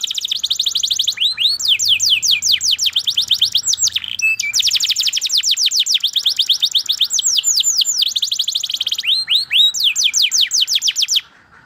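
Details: Canary in long continuous song, dense fast trills of high descending chirps with brief swooping phrases, stopping abruptly near the end.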